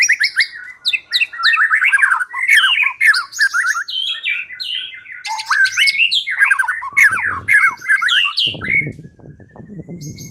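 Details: White-rumped shama song used as a lure to make a silent bird start singing: fast varied whistled phrases, quick rising and falling notes and rattling trills in a continuous stream, with a brief low rustle near the end.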